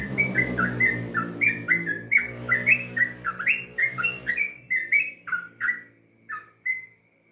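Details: Trucukan, the Sooty-headed bulbul, in an extended ropel song. A rapid chain of liquid, slurred chirps is delivered over a low mechanical hum, then the notes space out and slow to a few final calls.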